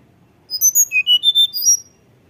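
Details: Fluting high song of a tledekan gunung, played as a lure so young birds sing more: about eight quick clear whistled notes stepping upward in pitch, then a final slurred pair.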